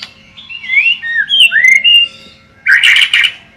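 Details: Caged white-rumped shama singing: a run of clear, sweet whistled phrases that slide up and down, followed by a short harsh, scratchy burst near the end.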